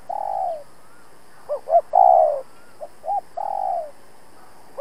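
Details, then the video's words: Captive decoy spotted dove provoking wild males to fight: a sequence of soft, low coos, each long note sliding downward, separated by clipped rising notes in twos. "Cu Gáy Mồi Cây thúc gù đấu bổi cực sung\ Cu gáy kích bổi nhanh nổi"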